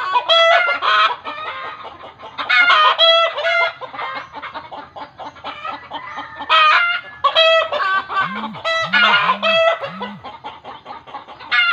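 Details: Chicken that village belief says is seeing a ghost, calling in loud bursts of raspy, hoarse cackles separated by quieter clucking, with a few low humming swoops late on.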